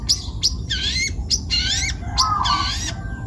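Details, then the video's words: Young wild-caught long-tailed shrike, Pati, Central Java, uttering short sharp chips followed by grating buzzy notes, then a lower warbling phrase near the end. "CENDET PASTOL MUDA HUTAN (MH) GACOR BUNYI"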